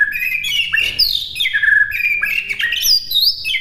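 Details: White-rumped shama song recorded as a master for birds to learn: a steady stream of high, slurred whistles that fall and rise, with sharp upswept notes, sung without pause.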